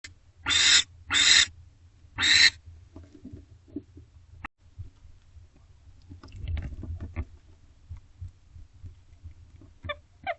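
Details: Female barn owl in a nest box at 8:51 pm on 24 April 2025, eating a rabbit her mate delivered; three loud harsh hissing screeches in quick succession, then faint squeaks and soft rustling.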